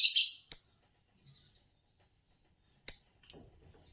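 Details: Green Fischer's lovebird, the usual winner of Indonesian bird song competitions, makes short sharp chirps: a quick pair at the start, then two thin clipped notes near the end after a pause.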